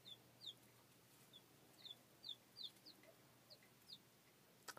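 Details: Young chickens of a layer line in a little brooder coop give scattered, faint, high downslurred peeps, several each second, over a quiet steady hum.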